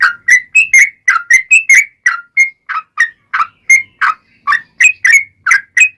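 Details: Yellow-vented bulbul lure song in the long 'ropel' style, played so other bulbuls call back: a steady stream of short liquid whistles, some slurred down, some up-slurred, closely spaced with almost no background noise.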